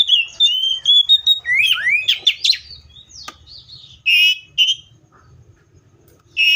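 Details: Seychelles magpie-robin delivering a fast medley of slurred whistles and upward-sweeping notes mixed with harsh, scratchy bursts, followed by a pause and then a few short, loud chattering phrases.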